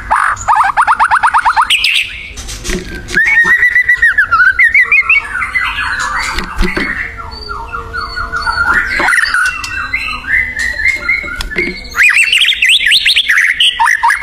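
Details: Wild white-rumped shama in full, energetic song: loud, rapid rattling trills and buzzy harmonic notes alternate with clear whistled phrases, changing pattern every few seconds, with clicks and scraping noises between phrases.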